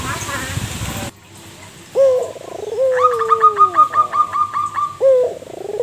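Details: A local zebra dove, kept as a lure bird to set other doves calling, follows a soft noisy start with a throaty coo, then a long sliding coo. A steady string of about ten quick ticking notes follows, and a further coo ends it.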